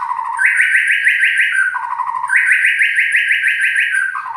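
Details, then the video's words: White-rumped shama delivering a loud, harsh song: two long trills of rapidly repeated notes, each run stepping down in pitch at its end, with a faint high buzzy overtone throughout. "Kicau murai Batu,Suara kasar"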